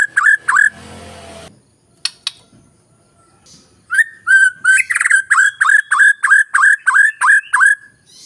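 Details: White-rumped shama singing as a lure to quickly trigger lazy, quiet birds: short loud notes with buzzy overtones, repeated about three times a second, a pause, then a rising whistle into another long, even series.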